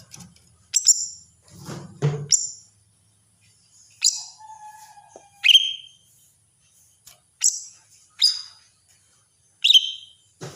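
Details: Greater green leafbird, a caged songbird kept for song training, giving scattered high whistled notes and sharp chirps in short separate bursts, some dropping steeply from very high pitch, with a brief lower buzzy sound early on.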